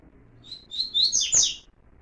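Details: Double-collared seedeater (coleiro) in warm-up song, Tui Tui puro style: a short phrase of high thin whistles rising into a loud, rich buzzy burst lasting about a second, over a quiet room background.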